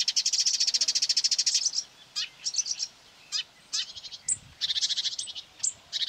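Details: Marsh warbler near quarry workings, 9 May 2020, drawn in by a phone playing its song and furiously trying to outsing it; a fast rattling trill opens, followed by scattered sharp chips and bursts of mixed high phrases.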